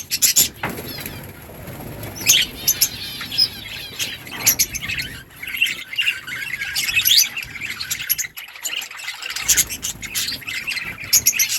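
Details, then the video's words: Budgies in a breeding colony twitter to one another, with soft, scratchy, warbled chatter under louder sharp chirps that come in irregular bursts. Some low background rumble runs throughout. "Budgies parrot chirping sounds parakeet talking to each other"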